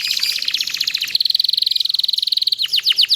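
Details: A canary sings a high, fast chattering trill, then a steady rattle of about twenty notes a second, ending in a few sharply falling whistled notes; played as a long-singing training recording to get other canaries singing.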